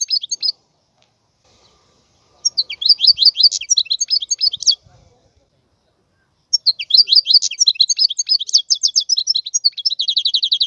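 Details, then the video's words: Wild European goldfinch singing; bursts of rapid, tinkling twittered notes and liquid trills, delivered in two long runs separated by a silent gap, clean with no other sounds. "اسمع بأذنيك تغريد هذا الحسون البري. افضل غناء خلوي"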